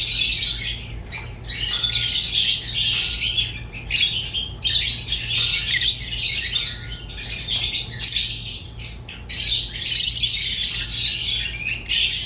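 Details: Rosy-faced and Fischer's lovebirds singing together: a dense, continuous high-pitched chatter of squeaky chirps and harsh squawks, broken by brief pauses, with a steady low hum in the background.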